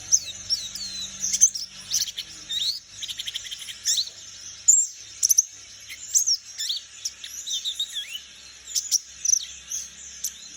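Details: Young wild Bornean white-eye from the forest learning to sing: a high, thin jumble of twittering chirps and short sweeping whistles, irregular and continuous, with faint low hum early on.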